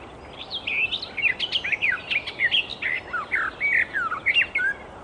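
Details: Icterine warbler in the wild, a continuous rapid song of chirps, slurred whistles and rougher squeaky notes, richly varied and delivered without a break.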